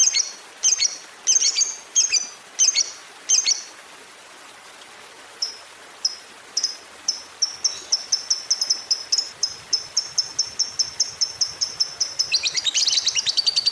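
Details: Lovebird prompting sound used to get other lovebirds singing long ngekek trills: a run of high, sharp chirps, a short pause, then a long, rapid, steady trill that speeds up and grows louder at the end.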